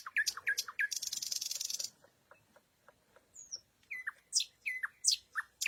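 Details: Nightingale at night opening with quick rising chirps, then a rough buzzing rattle, soft ticking notes, a high slurred whistle and a burst of sharp descending notes.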